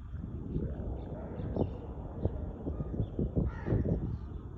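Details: Crow calling in a quick series of short, harsh caws bunched through the middle of the recording, against a constant low-pitched rumble in the background.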